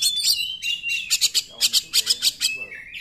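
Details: Oriental magpie-robin in full song, played to stir quiet magpie-robins into singing; a sliding whistle followed by a fast series of about ten buzzy, pulsed notes, then a falling whistle.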